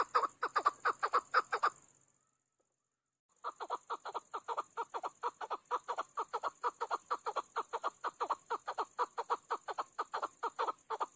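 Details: A hunter's chukar partridge gives a rapid run of harsh, clucking chuk notes, about two per second, pausing briefly before resuming, over a faint high hiss.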